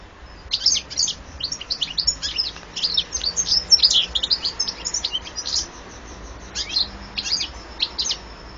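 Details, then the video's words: Carduelis carduelis song: a lively jangle of sharp high notes and short trills, most intense in the middle, then breaking into separate brief phrases near the end. "carduelis carduelis 8"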